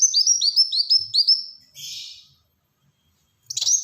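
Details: Black-throated sunbird (Kolibri Wulung) singing actively in tight rapid bursts: a quick run of high, thin, slurred notes, each dipping then rising, about eight in a row, then a short buzzy rasp, silence and a final sharp chirp.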